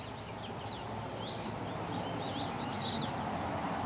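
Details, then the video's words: Small birds chattering around a water cooler: thin, high twittering chirps and short sweeping notes scattered through the stretch, overlapping one another above a steady broadband background hiss. "Bird chatter around the water cooler"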